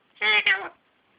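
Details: Talking Alexandrine parakeet, three years old, indoors, utters a two-syllable word in a rich, harmonic, human-like voice, part of the phrase "how you going".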